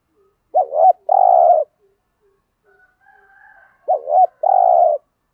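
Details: Thổ-voiced Spotted dove cooing to get decoy doves calling: two phrases of short undulating notes leading into a long, even coo, with soft clicks and a faint distant higher call in the gap.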